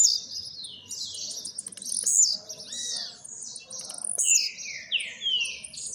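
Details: Blue-black grassquit, a newly acquired bird coming out of moult: high, sharp chirps and quick down-slurred notes tumble over one another in a fast, busy run, with a faint low hum behind.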